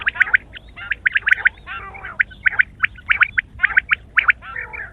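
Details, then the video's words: A morning chorus of quail: steady, sharp double and triple chirps in fast, uneven rhythm, many birds overlapping throughout. "sound of quail is the perfect clear sound for the morning"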